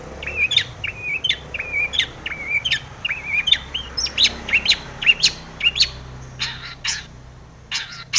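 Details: Long-tailed shrike pouring out chirpy mimicked tomiceng phrases to goad other shrikes into song: twittering warbled notes strung in quick clusters, ending in thinner scratchy chips.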